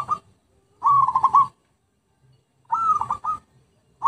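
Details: Zebra dove song used as a bird lure: two staccato, trilled cooing phrases, each about half a second long, pulsing around a steady mid pitch with short silent gaps between.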